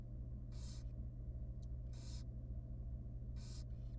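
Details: Young barn owl nestling in a wild nest box at feeding time, producing three loud, drawn-out hissing screeches about 1.5 seconds apart, a faint short click between them, and a low hum in the background.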